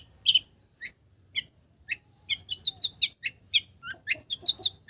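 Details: Long-tailed shrike singing a song filled with imitations of village birds: sparse high chips at first, building into a fast run of sharp, bright, rising and falling notes, several per second.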